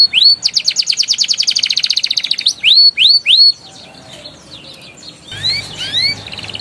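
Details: Canary song meant to prompt young canaries into singing and rolling: rapid rattling trill between upswept whistles, a few loud rising notes, a quiet gap, then softer paired rising whistles.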